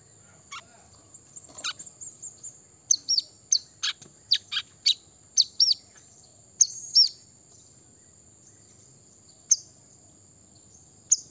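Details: Brown-throated sunbird, wild-style song meant to rile rivals: a run of sharp, high, clicking chirps about twice a second, then a few spaced slurred notes, with a constant thin high whine behind.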